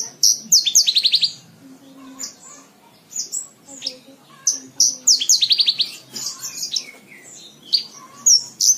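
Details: Javan bush lark song used as tutor recording for training cage birds: high, varied phrases with fast rattling trills of sharp notes, bursts separated by short pauses, some faint low tones beneath.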